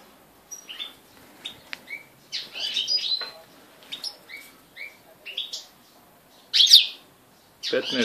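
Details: Captive European goldfinches kept at home, recorded 3 July 2013; sharp tinkling twitters and short chirp phrases in scattered bursts, a man counting aloud in the background.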